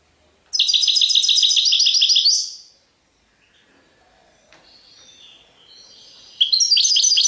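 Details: European goldfinch singing in the serfati tiwawati style: a fast run of bright, repeated twittering notes lasting about two seconds, a quiet pause with soft faint notes, then another burst of high, tinkling phrases.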